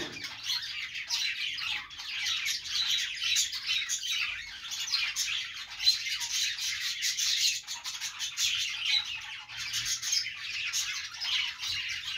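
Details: Budgerigars singing while perched: a long run of busy twittering and scratchy squawks that stays even in loudness throughout.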